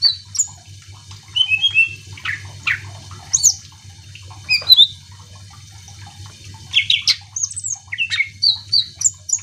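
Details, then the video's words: Greater green leafbird song meant to make other birds sing, scattered whistled notes and sharp chirps with quieter gaps, above a steady low hum. "Cucak ijo gacor AMPUH bikin burung mu langsung emosi ikutan bunyi"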